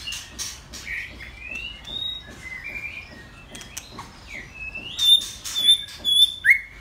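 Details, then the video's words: Caged male white-rumped shama, an old model bird, giving soft scattered whistles that swell into a loud burst of high, clear, ringing phrases in the last two seconds. "White Rumped Shama"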